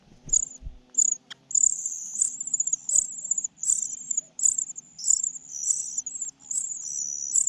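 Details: Common cuckoo chick being fed by its foster mother bird, giving nearly unbroken high, hissing begging calls that pulse rhythmically, over a faint low hum and a few early rustles.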